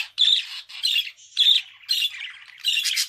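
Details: Pet budgerigar gives a string of harsh, rasping squawks and buzzy chatter, about five bursts in three seconds, the last one loudest and noisiest.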